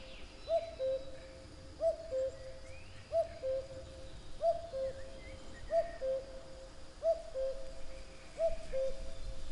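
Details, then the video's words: A common cuckoo repeats its falling two-note song seven times at a steady pace of about one call every 1.3 seconds, over low rumbling background noise and faint other birds. "Kuckuck | cuckoo | cuculus canorus | Gesang"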